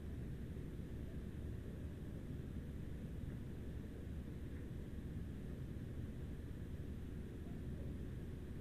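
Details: A steady low rumble with broadband hiss continues throughout, and no animal calls stand out.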